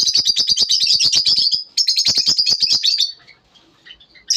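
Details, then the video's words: Morning lovebird song of fast, shrill, scratchy twitters in a continuous stream for about three seconds, then near-quiet with a few soft squeaks and a final sharp chirp. "lovebirds morning 🌅 natural sound"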